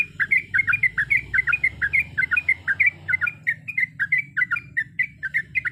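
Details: Sooty-headed bulbul singing a steady stream of paired, liquid warbled notes, several per second, with a continuous low hum behind.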